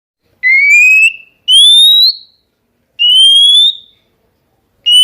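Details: Oriental magpie-robin song used to provoke rival birds into answering: four loud, clear whistles, each rising slightly over about half a second, with short silent gaps between them.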